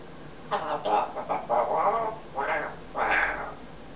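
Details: Congo African grey parrot kept as a pet indoors, sucking up to its owner by saying how pretty they are, then telling the owner to shut up; a few short voice-like phrases in a small room.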